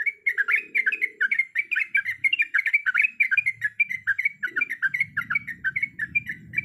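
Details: Female sooty-headed bulbul, in breeding condition, calling the male with a dense unbroken chatter of short bubbly chirps, with low background murmur in the later part.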